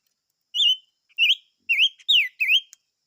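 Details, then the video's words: Chim ngũ sắc song: five loud, rich whistled notes, each a quick up-and-down slur, spaced about half a second apart in one clear phrase. "Chim Ngũ Sắc Hót - tiếng chim ngũ sắc hót"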